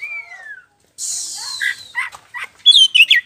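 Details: Black-throated magpie-robin, kacer poci, singing in a lure recording meant to provoke another bird into answering: a clear whistle sliding downward, a harsh buzzy rasp, then short sharp chirps and high twittering notes in quick succession.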